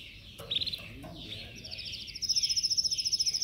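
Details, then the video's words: Caged yellow canary singing as training: scattered short chirps and falling notes at first, then a fast, regular high trill building in loudness toward the end, over faint background noise. "Canary singing training Yellow"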